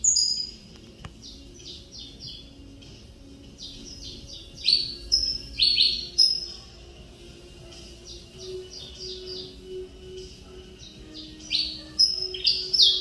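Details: Male saffron finch (canário mineirinho) from a championship runner-up sire and CMA dam, still full of pin feathers after moult, giving bursts of quick high descending chirps separated by quieter pauses, with a faint low hum.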